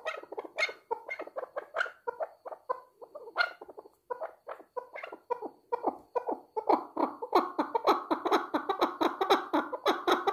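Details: Chukar partridge giving repeated chattering, clucking notes roughly twice a second. The rhythm is uneven early on, then builds into a thick, loud run of overlapping chuck notes in the second half.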